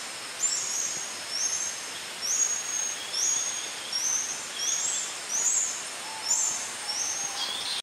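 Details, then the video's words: Brown barbets gathered socially, possibly mating, at Congkak Recreation Park, Selangor, 27 July 2010. A series of high, thin, slurred whistles repeats roughly once a second against a constant shrill insect hiss, with a lower faint note late on. "Barbet, Brown - mating - Calorhamphus fuliginosus"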